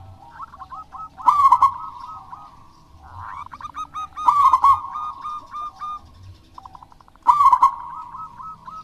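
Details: Local wild-type zebra dove singing vigorously, used to prompt lazy doves to sing: loud rolling, stuttered coo phrases at a steady mid pitch, repeated about every three seconds, with soft clipped cooing notes filling the gaps.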